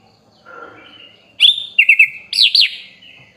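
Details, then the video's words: Sooty-headed bulbul tutor song for training songbirds, described as full of rich fill-in phrases: a faint low warble, then a bright sharp note, three quick wavering chirps and two loud looping slurred whistles. "MASTERAN BURUNG KUTILANG FULL ISIAN MEWAH||SUARA BURUNG KUTILANG"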